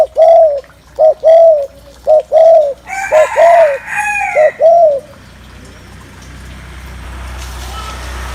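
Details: Repeated low cooing from a spotted dove to stir up males, paired short-then-long notes roughly once a second, with a brief brighter call overlapping midway before the cooing fades into a faint hiss.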